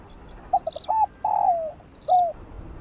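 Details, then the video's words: Decoy-stimulating spotted dove song in 'field voice' style: three quick soft clicks of notes, a short coo, a sustained rolling coo sinking at its end, then one bowed final coo. "Chim cu gáy kích bổi gáy nhanh❣ tiếng chim cu đất gáy gọi giọng đồng kích bổi tập mồi"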